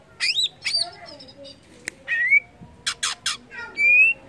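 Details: Greater green leafbird (cucak ijo) singing to stimulate other leafbirds: harsh squawky notes and slurred whistles, a few noisy bursts, ending in a long clear rising whistle.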